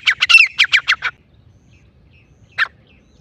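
Grey francolin giving a quick burst of about seven harsh, squawky notes in one second, then a single note after a pause.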